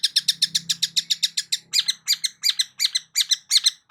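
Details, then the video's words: Long-tailed shrike song used to prompt a silent shrike to sing: a fast run of about fourteen harsh, buzzy notes, then slower, coarser double notes repeated about four times a second, with nothing else behind them. "CENDET MACET COBA PANCING DENGAR KICAU EFEKTIF"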